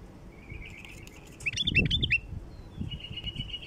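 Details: Bulbul calls used as a lure to attract wild bulbuls: a thin buzzy trilled phrase, then a burst of sharp looping whistled notes, then another steady buzzy trill, over low rumbling background noise.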